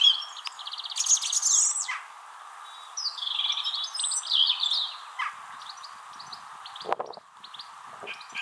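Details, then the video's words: In April 2021 in Wrestlingworth, Bedfordshire, UK, a song thrush sings from a tree to compete with another nearby thrush. It gives loud, clear phrases, repeating short notes several times before a higher warbled phrase, over a steady low hum. "Song Thrush"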